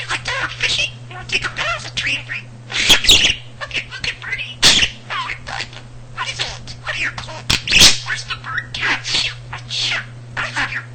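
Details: Pet male budgerigar chattering a long stream of mimicked words indoors, vocabulary of almost 300 words and sentences; fast, high, scratchy speech-like phrases with a few sharp loud clicks, low hum throughout.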